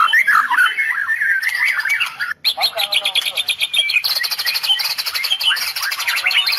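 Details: White-rumped shama of the Medan type delivering a tembakan song filled with cililin. Harsh chattering warbles open the phrase, followed by long runs of fast, evenly repeated sharp high notes.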